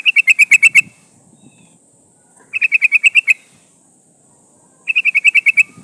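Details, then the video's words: A female sooty-headed bulbul calls a male. The recording serves as a lure for wild bulbuls. Three bursts of seven or eight quick, metallic chattering notes come roughly every two seconds, with quiet gaps between. "SUARA burung trucukan gacor memanggil lawan pancingan trucukan betina memanggil jantan"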